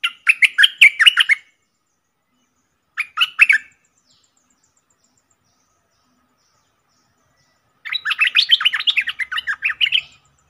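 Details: Streak-eared bulbul kept in a cage as a decoy bird, calling to tempt wild bulbuls that fly around but refuse to come down; three bursts of rapid, chattering, warbled notes separated by several seconds of silence.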